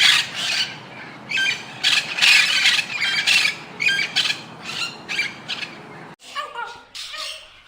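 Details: Indian ringneck parrot squawking in loud, rough bursts, then a sudden drop to softer, clearer chattering notes at the close.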